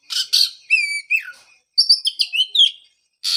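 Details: Oriental magpie-robin song meant to restart singing in a bird after its moult; opens with two harsh rasping notes, then pure descending whistles and a quick chirpy phrase, ending with another rasp.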